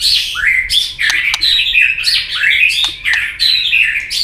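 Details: White-rumped shama fighting song to spur a rival: dense, intense run of loud upslurred and warbled whistles with brief tail clicks, phrases restarting roughly once a second.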